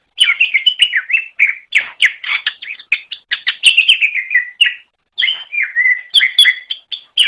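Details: Greater green leafbird singing continuously on a master training recording: a dense, fast jumble of chips, slurs and short whistles, with one brief pause before the varied warbling resumes.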